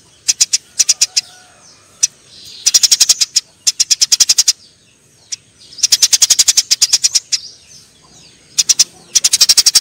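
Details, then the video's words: Fighting Eurasian tree sparrows give dense runs of rapid, shrill chirps alternating with short pauses, with a few isolated single notes between the bursts. "suara burung gereja TARUNG"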